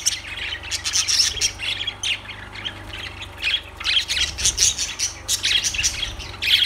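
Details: Lovebirds keeping up shrill, rasping chatter in pulsing bursts roughly every half second, high and piercing squawks mixed with quick chirps, over a faint low hum.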